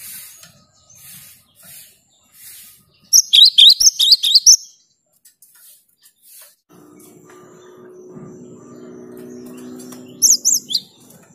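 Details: Actively singing cinereous tit, meant to coax silent tits to sing: a short burst of fast, high, piercing chirps, then a steady low hum, followed by a brief second chirping burst near the end.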